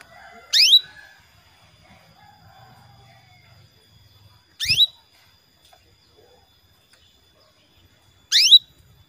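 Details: Female canary calling to a male, used as a lure to make males sing: three sharp notes sweeping steeply downward, roughly four seconds apart, one with a low thump, and soft murmuring in the background.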